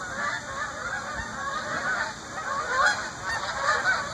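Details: Geese flying over Shaker Heights under a yellow-orange sky, giving a stream of overlapping honking calls, harsh and nasal, rising and falling in loudness as the flock passes, with steady background hiss.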